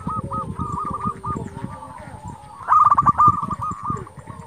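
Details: Local zebra dove singing to draw replies from rivals: soft hooked coos over low rumbling background noise, then a louder quick burst of rolling notes.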